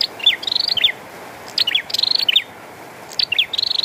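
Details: Bar-winged prinia singing actively in the rain, three closely spaced phrases of steep downward chips and a fast pulsing trill, bright and high above a soft rain background.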